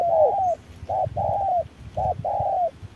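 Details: Wild spotted dove dueling with a decoy dove in harsh midday sun, giving low hollow coos in paired short-long phrases, the second note drawn out and slightly falling, about one phrase a second.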